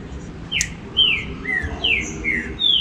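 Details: Green-winged saltator singing to get captive birds lively: a string of thin, descending whistled notes over a hissy background.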